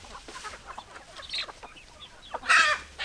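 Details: Chickens clucking in a group, with quick repeated clucks building up and a loud harsh squawk near the end, then more chatter.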